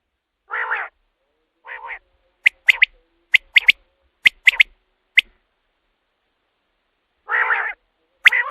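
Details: Common quail call for night-time quail hunting lures. Two hoarse, nasal notes open, then a run of sharp whistled three-note phrases, roughly one every second. After a silent gap, another nasal note and a high phrase follow.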